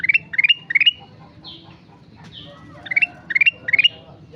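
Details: Actively singing sooty-headed bulbul repeats crisp four-note phrases that climb in pitch, in two bursts of three separated by a pause holding softer high whistles.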